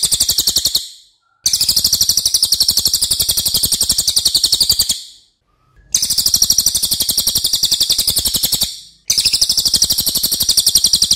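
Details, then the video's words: Racket-tailed treepie delivering a loud song used to train other birds: four long runs of rapid, piercing, metallic-sounding high notes, roughly four per second, separated by short silent breaks. "MASTERAN CILILIN OKE BANGET"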